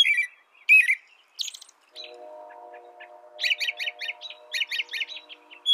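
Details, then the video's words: Carolling phrases of an American robin, at first spaced out, then a rapid string of similar repeated notes. A low, steady droning hum runs underneath through the middle of the passage. "canto de robin americano AMERICAN ROBIN"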